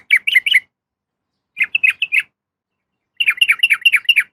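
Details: A female sooty-headed bulbul calls for a male with quick clusters of sharp, wavering chirps, three bursts separated by brief silences, the last a longer rapid chatter.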